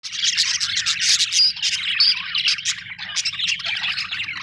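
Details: Budgerigars, Australian birds, chirping in a dense, continuous chatter of high warbling notes and short sharp tweets, several birds overlapping with no pauses, with a low steady hum underneath.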